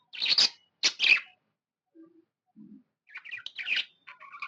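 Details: Happy budgie calling indoors: two loud scratchy chirps, a pause with faint low sounds, then softer chattering chirps and short whistled notes.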